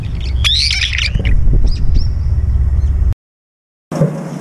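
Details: Several brown-eared bulbuls competing for a feeder, chasing each other through the air: a burst of harsh, high squealing notes early on, then heavy low rumbling noise and a brief silence.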